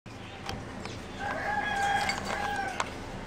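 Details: Competition singing zebra dove, a line bred over 60 years from a wild mutation, with a song unlike the wild birds'; a steady, low, hollow cooing tone holds for about a second and a half amid sharp clicks and background hiss.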